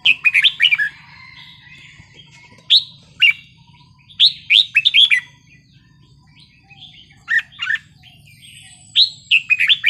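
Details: Red-whiskered bulbul singing a wild-type song, short bright whistled phrases of two to four notes in bursts with pauses, rising and falling, steady low hum beneath.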